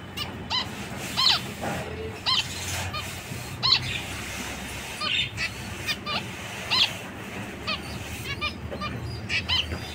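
Zebra finches give short, nasal, toy-trumpet-like calls, several birds overlapping every second or so, over a low background hum.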